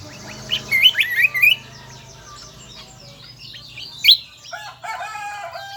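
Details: Shrill song of the kecial kombo, said to be found only on Lombok: a quick run of twisting high chirps, a pause, then one sharp note followed by softer lower twitters.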